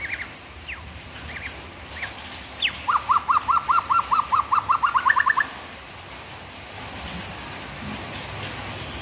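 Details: {'caption': 'White-rumped shama phrase with a few high sharp notes, then a fast even run of about fifteen clipped mid-pitched notes that rise slightly at the end, followed by quiet background hiss.'}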